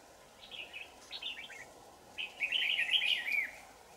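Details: Red-whiskered bulbul, a 'shrimp-back' trapping bird singing hard on 4 January 2018. Several quick, liquid, slurred notes rise and fall, ending in a louder, rich warbling phrase lasting about a second, over a constant low hum.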